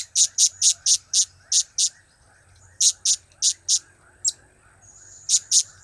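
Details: Blue-crowned hanging parrot giving its cap-cap, kiak-kiak and crap-crap calls: shrill, very high, clipped notes in quick runs of two to five, with short pauses. A thin steady whine and a low insect-like buzz run underneath.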